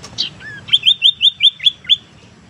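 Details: Sirtu teras tailorbird lure sound for trapping and encouraging idle birds to sing: a few soft introductory notes, then seven loud, sharp chip notes repeated about five times a second, high and clear over a quiet background.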